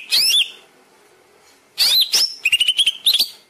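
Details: Master song of a greater green leafbird meant to prompt caged birds to sing: a brief sweeping whistle, a pause, then slurred whistles and a quick series of sharp chips.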